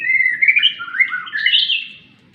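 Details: White-rumped shama in a cage during sunning, giving a short burst of liquid warbled whistles that wander down and then climb to a higher bright flourish before fading.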